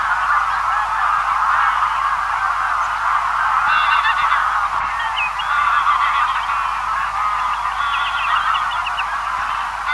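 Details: Greylag Goose flock feeding far off: a constant, overlapping gabble of honking calls, roughly three or four a second, with brief higher cackling bursts standing out in the second half.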